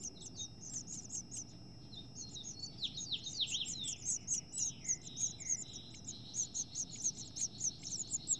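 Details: Two female house finches fight over a nest holding chicks close to fledging; dense, fast high chirping runs throughout, mixed with buzzy downslurred notes in the middle, faint background hum.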